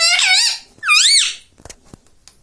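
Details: Indoor pet rose-ringed parakeet: two high, squeaky, wavering utterances like mimicked words, each about half a second, followed by faint clicks and rustling.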